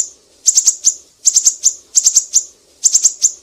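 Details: Siri-siri recorded as a tutor song for cage birds such as leafbirds, shamas and magpie-robins: four clusters of three or four rapid, piercing high chips, each cluster about 0.8 seconds apart, over a faint low hum.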